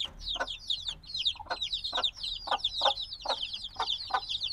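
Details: Little black chicks a few days old keep up a restless stream of high down-slurred peeps, softer and slightly distant, punctuated by regular muffled tapping.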